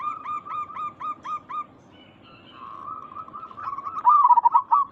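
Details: Local zebra doves, a lure recording meant to make others respond: six evenly spaced hooked whistled coos, a pause, then a sustained rolling warble that rises into a loud, buzzy coo.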